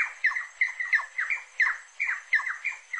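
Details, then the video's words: Rufous-necked wood rail calling at close range: a fast run of strident squawking notes, some sliding upward and others dropping sharply, about three per second, with faint hiss behind. "CANTO DA SARACURA-DO-MANGUE, saracura-da-praia e siricoia-do-mangue"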